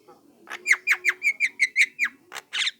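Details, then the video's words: Young Javan myna calling to provoke a response from other mynas: a run of about nine sharp, harsh chattering notes, evenly spaced, each sweeping down, ending in a louder rasping burst. "SUARA PANCINGAN JALAK KEBO MUDA INI"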